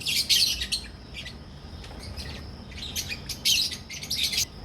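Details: Captive albino red-eyed and personata red-eyed lovebirds in a colony breeding setup in Pakistan: shrill, high chirps in dense overlapping bursts from several birds, louder clusters at the start and near the end.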